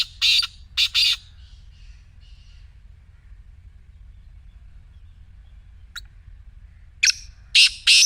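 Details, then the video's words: Black francolin voice used to prompt a silent partridge to call: two rasping notes at the start, a long quiet gap, a single click, then a renewed burst of three harsh notes. "کالے تیتر کی مدھر بولی | اب خاموش تیتر بھی بولے گا/ Black Teetar Voice"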